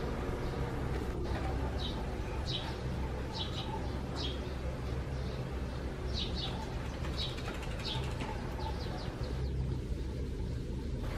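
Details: Sparrows nesting in a gutter hole under roof eaves, recorded on a June 2020 morning: short bright chirps repeated in loose bursts over a steady low rumbling background hum.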